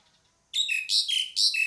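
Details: Pied myna bursting into harsh, raspy calling after a brief silence: three quick grating notes, each ending in a downward whistled slur.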